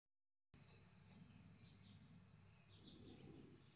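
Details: Yellow goldfinch singing: a quick burst of high, thin twittered notes lasting about a second, then fading, over a low steady background hum.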